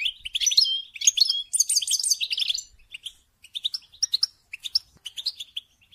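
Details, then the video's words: Stimulating goldfinch song for mating: a dense, loud opening of rolling liquid twitters and trills, then quieter scattered chirps spaced by short silences. "Song And Stimulating Goldfinch To Mate"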